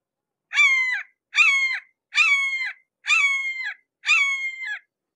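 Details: Five evenly spaced, harsh kee-ah screams from a close red-shouldered hawk, repeated at just under a second apart, each ending in a downward slur, no other sounds.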